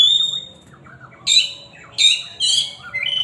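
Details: A loud Oriental magpie-robin song begins with a sustained pure whistle, then moves into three emphatic, chattering bursts with bright overtones, about half a second apart.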